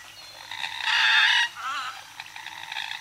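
A Common Moorhen gives a loud, harsh, croaking call lasting about half a second, then a shorter wavering note and fainter grating notes. No other sounds stand out.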